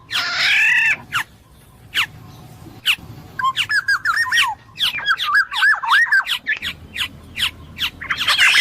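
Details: Black-naped oriole singing long, varied sequences of liquid, looping whistles interspersed with sharp chip notes. A harsh nasal squawk comes at the start and end.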